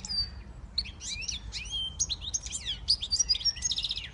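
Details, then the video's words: Fast, unbroken twittering song of a siskin x goldfinch hybrid, mixing high sharp chips, swooping slurs and buzzy trilled notes. "Switty Siskin x goldfinch"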